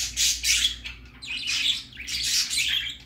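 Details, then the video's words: Baby budgerigar on its first trip out, giving three long, harsh, buzzy squawks, each stretched and noisy, roughly one per second, with a low hum underneath. "Baby parakeet first time go out"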